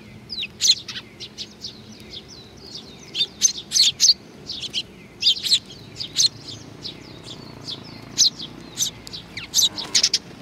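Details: Several sparrows coming to be fed at Tenmangu shrine, Nakanoshima, on 21 June 2020, giving bright, short chirps in quick irregular bursts, some overlapping, over a faint low hum.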